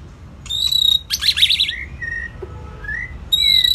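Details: White-rumped shama song with a steady high whistle, a burst of rapid buzzy notes, then soft slurred whistles, against low background noise.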